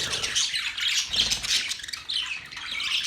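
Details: Pet parrots chattering and chirping together in a busy, overlapping stream of squawks and high twittering notes, with no clear pauses.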